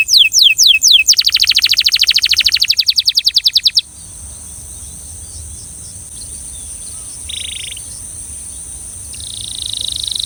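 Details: Belgian canary song opening with downward-swept whistles, then a rapid rolling high trill lasting a few seconds, followed by near silence with a faint brief tone and a steady high hiss.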